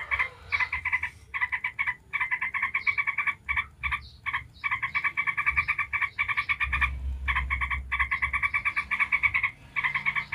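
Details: Yellow-vented bulbul in long 'ngebren' chattering runs intended to make other bulbuls sing. Dense, grating streams of rapid notes are interrupted by occasional short silences, with a low rumble beneath.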